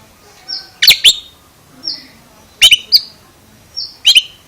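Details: Oriental magpie-robin making an unusual, strange-sounding call: sharp, clicking double chips three times about 1.5 seconds apart, each led by a short high whistled note, with faint buzzy notes between.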